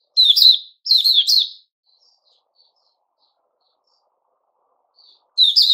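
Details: A white-crowned shama (Puteh Raja) sings while growing new feathers, recorded 6 September 2021. Two short bursts of loud whistled, twisting notes with high chips, then a long pause before another burst starts.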